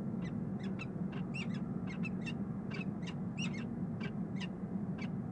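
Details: Peregrine falcon pair bonding in the nest box on Rhodes Tower, Columbus, Ohio, 9 March 2015: harsh, scratchy chips in quick runs, two or three per second, over a steady low rumble of city noise.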